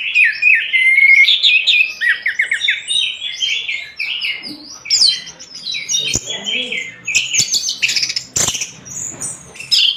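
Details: A vigorously singing orange-headed thrush, recorded for songbird tutoring, opens with clear rising whistles and then runs into quick, jumbled high twittering phrases, with a few loud clicks near the end.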